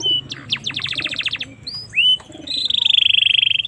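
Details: Canary song meant for training or luring young canaries: a series of quick descending notes, short upward-sweeping whistles, then a fast, sustained high trill repeated many times a second.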